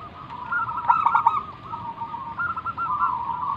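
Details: Zebra dove of local wild stock, singing as a lure for other doves. One continuous, rippling trilled coo holds a steady pitch, with a stronger stuttering section early on, over low hiss.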